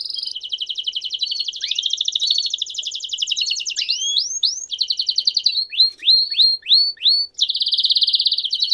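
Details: Canary giving campainha-style song: long rapid high trills alternate with a series of sweeping, upslurred whistled notes, then a final dense rolling trill.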